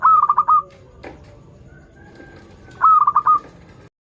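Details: Zebra dove of a local strain in active song, a lure for birds still learning: two matching phrases of fast, staccato cooing notes about three seconds apart, a faint click between.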